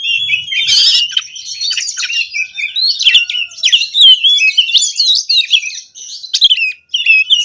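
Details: Oriental magpie-robin lure song from a caged bird: opens with a harsh rasp, then a continuous tumble of varied whistles, slurs and chattering notes.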